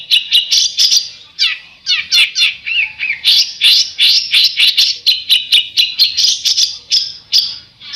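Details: Besetan bird song, a fast string of sharp, buzzy chirps and scratchy notes packed closely together, with some short slurred whistles in between and no other sounds.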